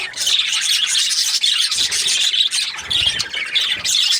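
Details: Happy budgies keep up a steady, raspy warbling chatter, high and busy, with little let-up and a few faint low rustles underneath.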